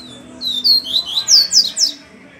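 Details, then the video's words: Double-collared seedeater song from a bird that sings upside down, a quick series of bright, high whistled notes, each slurring down, about six in a row in a bit over a second. "COLEIRO PAPA CAPIM SPIDER MAN ESSE CANTA É DE CABEÇA PARA BAIXO"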